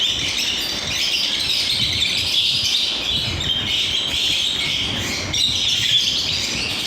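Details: Lovebirds kept in an aviary, many birds chirping at once in a dense, continuous chatter of high squeaky notes and short tweets with no pauses, faint low rumble underneath.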